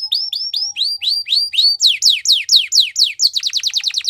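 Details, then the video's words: Belgian canary song for training, a clean recording of whistled rising notes that shift into faster falling sweeps and end in a quick rolling series. "The best canary training | Belgian canary"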